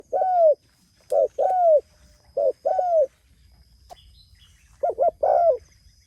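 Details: Spotted dove calling to others: low mellow cooing phrases, a short double coo followed by a longer falling coo, repeated several times; faint high thin tone running in the background.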